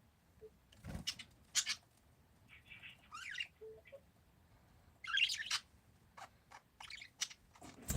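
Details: Parakeets chattering with scattered short chirps, a buzzy rising squawk and brief clicks, bursts coming irregularly over eight seconds with low thumps and a soft background hum.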